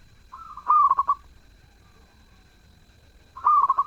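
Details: Melodious zebra dove song: a soft coo leads into a loud burst of stuttered cooing notes ending in a held note, then silence before the next loud phrase begins.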